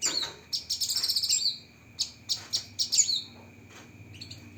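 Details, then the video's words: Cucak kinoi song with a spicy fast fill, softer and broken up here: scattered short chirps, brief trilled bursts and quick upslurred whistles, with a faint steady tone and light low background rumble. "Masteran Burung Cucak Kinoi Full Isian Tembakan Pedas"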